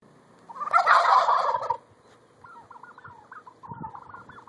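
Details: Wild turkeys in Sheridan, Wyoming: one loud, rattling gobble lasting just over a second, followed by quieter, quavering calls repeated through the rest of the recording.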